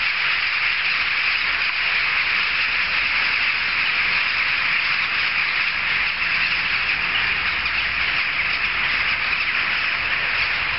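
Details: Noisy jackdaw gathering that carries several streets; a thick, unvarying din of many birds' sharp, clamouring calls, steady and loud from start to finish.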